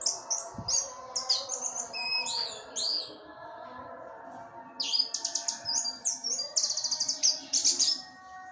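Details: A porch-kept orange-headed thrush sings to stir up rival thrushes. It gives rapid, varied, high whistled notes in bursts, pauses briefly, then delivers a dense run of sharp repeated notes over a low background hum.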